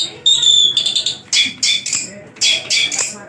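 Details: Caged, tame Javan long-tailed shrike in good condition singing vigorously with a rich repertoire of learned phrases: short loud harsh bursts with high whistled overtones, separated by brief pauses, repeated in uneven rhythm.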